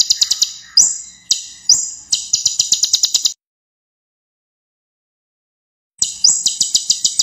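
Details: Ruby-cheeked sunbird (kolibri ninja) singing actively with a full set of varied phrases, sharp piercing 'tembakan' notes used as a tutor recording for young songbirds: rapid high ticking trills and upslurred whistles, then a long silence before the trill resumes.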